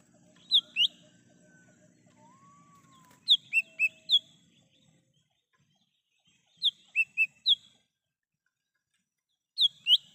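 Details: Wild lesser green leafbird, sound meant for luring and calling birds: clipped high whistles in groups of two to four, spaced by pauses of a few seconds, with lower sliding whistles early on and a faint background rumble.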